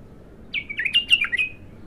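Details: Bulbul giving a raw song, called its first opening: a short, loud, liquid whistled phrase of about five quick notes, dropping and rising with a slurred ending, heard over a quiet low background.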